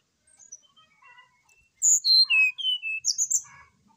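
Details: Brown-chested jungle flycatcher singing keenly in the morning, its song meant to spur another bird: quiet scattered twitters give way to a strong series of descending whistled notes and a closing bright trill.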